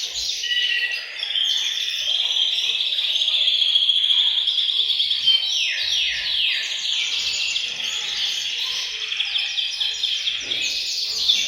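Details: Chorus of caged canaries in a bird room, meant to prompt males into song and prepare females for mating; a continuous wall of shrill trills, fast repeated slurred notes and bright whistles.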